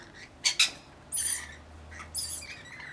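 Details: Rainbow lorikeet flock, about 40 birds with a single baby, two sharp loud squawks followed by two longer harsh screeching calls over a low hum.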